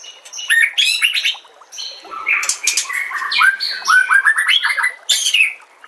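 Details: White-rumped shama singing a varied master song meant to train other shamas, over nature sounds and trickling water; fast sequences of chirps, buzzes and rising whistled notes, loud and continuous across the passage.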